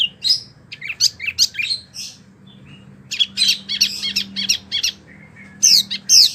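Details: Wambi bird used as a song tutor for oriental magpie-robins and other birds: bursts of harsh, scratchy chatter separated by brief pauses, with a soft low whistle and a loud squeaky phrase near the end.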